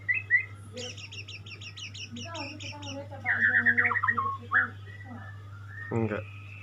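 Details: Singing white-rumped shama: a fast series of thin, high repeated notes, then warbled whistles sliding up and down in short phrases, with a continuous low hum underneath.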